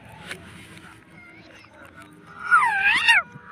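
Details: Pet parrot talking, claimed to be saying "mummy": quiet room murmur for over two seconds, then a loud wavering, bending vocal phrase of stacked tones.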